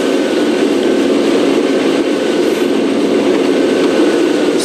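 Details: A steady vehicle engine drone fills the whole stretch, with a faint mechanical hum and no animal calls.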